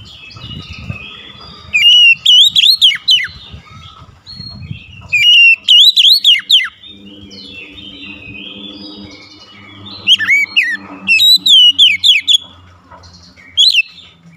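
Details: Energetic oriental magpie-robin song meant to make others answer: four bursts of loud, ringing, up-and-down whistled notes spread over the clip, with a low steady hum between them.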